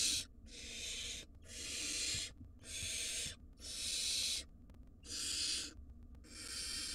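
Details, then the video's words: Wild barn owl nestlings, five in a monitored nest box, begging to their parents: harsh broadband hissing screeches about a second long, repeated in a steady series with short silent gaps. "Chirping Chaos: 5 Noisy Barn Owl Nestlings Keep Their Parents on Their Toes"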